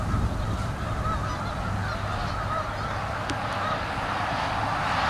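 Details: Canada geese at South Utica Reservoir, Utica, New York, in November: a dense chorus of overlapping nasal honks around one to two kilohertz, with a steady low rumble beneath.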